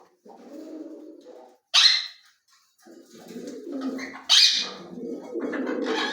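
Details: Ring-necked parakeet, kept as a talking bird, murmurs in low, muttering, speech-like tones, broken by two sudden shrill screeches about two and a half seconds apart.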